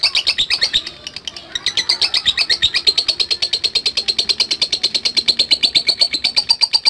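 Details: Lovebird ngetik, given in response to a lure recording: a brief stutter, then a long, regular burst of sharp, high-pitched clicking chirps.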